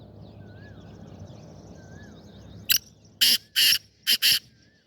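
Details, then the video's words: Black francolin call from a recording dated 25 April 2024, heard as five loud rasping bursts: one short opener, then two longer ones and a closing quick pair, after faint thin whistles from other birds. "Kala Teetar Sound"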